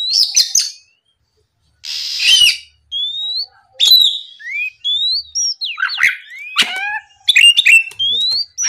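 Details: Oriental magpie-robin song used as a morning lure to provoke rival birds: varied loud whistles, rising slurs and sharp chattery notes in quick bursts separated by short gaps.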